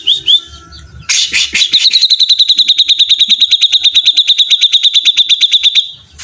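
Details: Cream-vented bulbul singing energetically: a couple of short whistled notes, a burst of harsh noise, then a long rapid rattling trill of evenly repeated high metallic notes lasting about four seconds.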